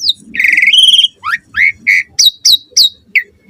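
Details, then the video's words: Asian pied starling singing in the morning, played to lure other starlings into song: a harsh buzzy opening, then a quick run of about ten clear whistled notes, some rising and others dropping steeply, with brief gaps between them. "Suara Jalak Suren Gacor Ampuh & Efektif Pagi Hari Buat Pancingan Burung Jalak Agar Gacor Full Isian"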